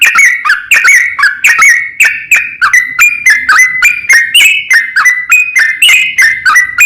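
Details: Provoking other bulbuls, a sooty-headed bulbul calls a rival in long rapid 'ropel panjang' song: a seven-second run of sharp, bubbly whistles rising and falling in quick, jerky phrases.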